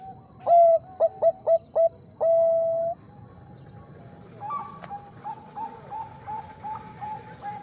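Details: Loud Bangkok-type zebra dove song meant to invite a rival's answer: a crisp series of short clipped coos ending in a long drawn-out note, followed by quieter, evenly spaced soft coos; a steady high tone runs throughout.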